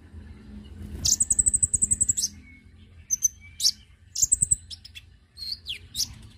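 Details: Konin lure call used to attract birds: a long fast rattling trill of about twelve notes, then scattered high chirps and short whistled slurs.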